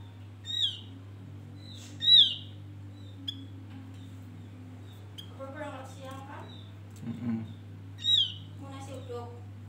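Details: Male Javan grey-throated white-eye (opior jawa) calling in a lure recording used to attract birds: loud, clear downslurred whistles spaced a second or more apart, a burst of lower chattering notes midway, over a steady low electrical hum.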